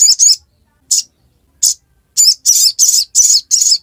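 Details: Ruby-cheeked sunbird chirping ngiriwek style: two quick notes, two isolated ones, then a dense run of five buzzy high chirps.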